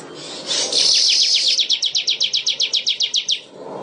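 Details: Weaver in vigorous song: a dense high buzz building into a steady rattle of about fifteen short downslurred notes, roughly five per second, over a faint low hum.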